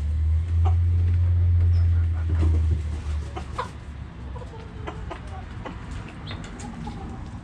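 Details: Backyard chickens with hens clucking in short repeated notes, a low steady hum strong in the first three seconds, then softer scattered clucks and light chirps.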